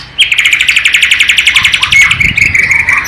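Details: Bornean white-rumped shama, East Kalimantan, delivering its imitation of a flycatcher (sikatan londo): a fast, even trill of about twenty sharp, high, repeated notes, then a steady whistled tone and softer twitters.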